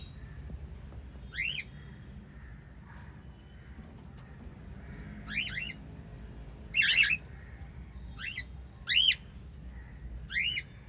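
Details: Captive white lovebirds, a parrot family of five, give short rising chirps spread across the recording, some doubled, with quiet gaps between calls and a low steady hum underneath.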